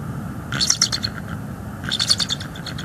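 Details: Bald eagle arriving at its nest branch in northeast Florida on a December evening, captured by a nest cam; two bursts of rapid, squeaky chattering notes about a second and a half apart.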